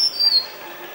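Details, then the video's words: At Nandi Hills, Bangalore, a Tickell's Blue Flycatcher (Cyornis tickelliae) sings a brief, very high, thin whistled phrase with a slightly falling note, over a soft hiss. "Tickell's Blue Flycatcher ( Cyornis tickelliae ) song"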